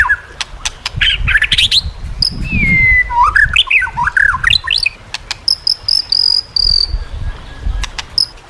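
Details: White-rumped shama song for training shamas: varied zigzag whistles and squeaky notes, a drawn-out falling whistle, then high thin repeated notes and clicks over background rumble.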